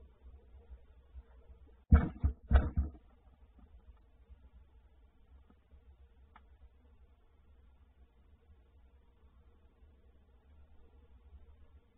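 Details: A low steady hum with a few brief knocks or thumps near the start; no animal voice.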